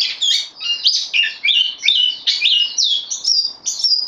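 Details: Caged bulbul, a newcomer on loan, dated 12 September 2020, singing a dense, continuous run of sweet whistled and chattering phrases: rapid slurred notes rising and falling with brief gaps about every half second, with no other sounds.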